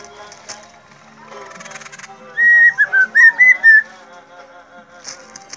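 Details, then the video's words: Helmeted friarbird, locally called cucak irian or koak kaok, whistling nonstop while being teased; a quick run of clear whistled notes near one pitch, choppy and wavering, after a low hum and a brief rattle. "KOAK KAOK PANDAI BERSIUL DAN BERGAYA"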